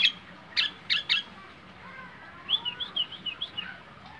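A Nias hill myna gives three loud, harsh clucking notes, then a quick run of high, liquid whistles over softer, lower whistled tones.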